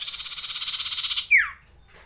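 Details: Common iora long rolling song for raising breeding urge: a fast pulsing trill over a second long, ending in a single sharp downward-swept note.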